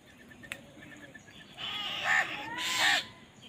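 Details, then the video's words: Crows squabbling over food: a pair of drawn-out hoarse caws, each bending up then down in pitch, about a second apart, after some faint soft ticking. "Crow Bird Fight for Food | Crow Bird Unity Anger and Crowing Sound"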